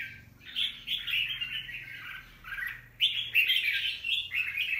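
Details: Wild-caught young red-whiskered bulbul, recorded 25 December 2023. Lively warbled phrases start with sharp upward notes, pause briefly, then resume louder with rapid bright chirps.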